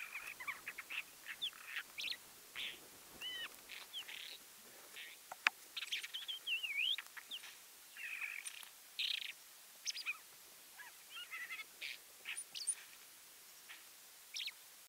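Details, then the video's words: A northern wheatear (Oenanthe oenanthe) gives short, scratchy phrases of high chattering notes mixed with clear whistles, one sliding up and down, repeated every second or two against a quiet background. "Каменка, голос - Көк чакчыгай"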